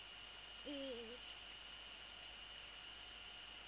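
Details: Calling Eurasian eagle-owl during a prey transfer at the nest, male present, evening of February 3, 2014. One brief tonal call, level then dipping slightly, followed by quiet with a persistent steady hum.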